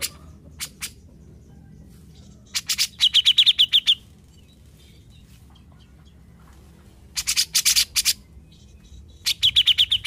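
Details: Grey-cheeked bulbul, a formerly silent bird now singing freely. Three bursts of rapid, rasping chirps, each a second or so long, with brief whistled notes inside, separated by quiet pauses; steady low hum underneath.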